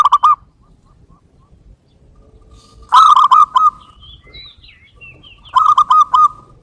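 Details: Lure sound of a local zebra dove: three phrases of fast, bubbling coos, the first brief, then two fuller rolling phrases a few seconds apart, with faint notes in the gaps.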